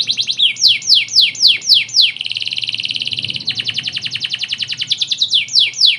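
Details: Tutoring recording of canary song in the ornate cengkok style: quick falling sweeps, then a dense buzzing roll, a fast ticking trill, and more descending whistles at the close.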